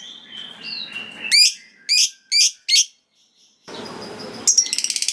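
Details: Lovebird giving its ngekek song, said to provoke rival lovebirds into replying: high sliding whistles, three sharp chirps, a hissy pause, then a quick pulsed trill starting near the end.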